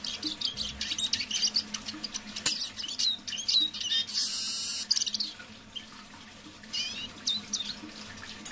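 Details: Eurasian siskin kept as a decoy bird, singing softly in the evening: quick, bright twittering phrases with short buzzy trills, pausing now and then, over a steady low electrical hum.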